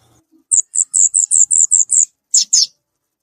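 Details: In the wild, a violaceous euphonia delivers a rapid string of eight very high, thin, even notes, then two lower, buzzier notes after a short gap.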